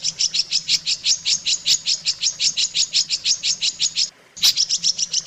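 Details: Long-tailed shrike training song for teaching other shrikes: a steady series of high, clipped chirps, about four per second, a short break, then a louder bright burst and renewed rapid notes.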